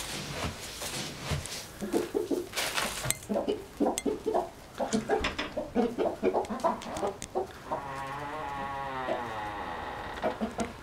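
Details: Three hens and a somewhat cantankerous rooster that declined to crow: rapid bursts of mid-pitched clucks tumbling over one another, then a longer drawn-out wavering call near the end, over steady background hiss.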